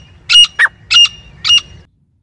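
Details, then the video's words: A female grey francolin calling non-stop in jungle, a call used to lure birds for hunting, gives four harsh, squealing notes in under two seconds, the second shorter and lower, over a faint low rumble. "Madi ki awaaz Shikar ke liye non stop calling female in Jungle teetar gora teetar francolin"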